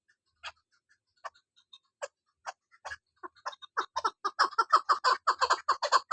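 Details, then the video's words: Scattered single clucks from a female chukar partridge gradually speed up into a dense, rhythmic chattering series of hoarse chuck notes. "Shikari Chakor sound Keklik sesi voice Female chakor awaz"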